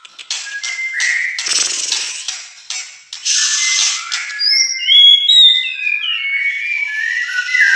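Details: White-rumped shama, albino or blorok colour mutant, from Indonesia: harsh buzzy bursts and short rattles give way to a run of high, clear whistled notes that slide up and down, varied and fast.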